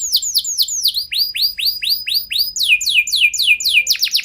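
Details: Canary singing slow arched whistled notes about three per second, changing to quicker downswept trills near the end, used to trigger other canaries into long song.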